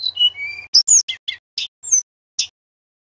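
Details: Male Sunda robin (Myiomela diana) singing loudly: a run of high, clear whistled notes, some sliding downward, then several sharp, bright chips in quick succession over a faint low hum.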